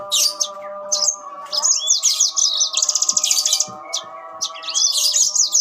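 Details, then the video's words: Yellow-fronted canaries in an exchange of song: bursts of rapid high chirps and buzzy trills, a fast even rattle in the middle and rising whistles. A steady low hum runs underneath. "burung mozambil saut sautan"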